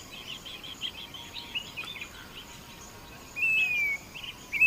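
A Grey-bellied cuckoo gives a loud, thin whistle that slides slightly downward, then starts another. Soft, quick chirping from other small creatures runs underneath.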